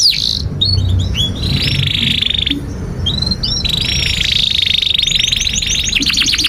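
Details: Long 'gacor' canary song for training young canaries: short rising chirps between sustained buzzy trills at a steady pitch, ending with a quick run of high notes, over a low rumbling background.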